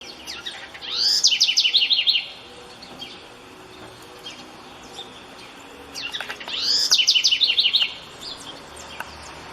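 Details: House wren singing freely in nature at dawn on a rainy day: two bursts about five seconds apart, each a rising sweep into a fast series of high, bright trilled notes lasting about a second, with faint other chirps and steady background hiss.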